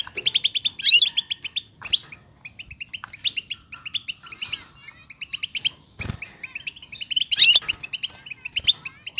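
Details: Stimulation recording of European goldfinch song intended to rouse silent birds: dense rapid chirp runs broken by short gaps, some sweeping notes, and a sharp knock-like thud midway.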